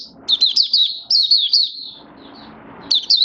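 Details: Oriental white-eye, a hobby bird in build-up form, recorded 19 September 2022: a fast run of high, zigzagging chirped notes, then a quiet pause with faint background noise, and a short final burst.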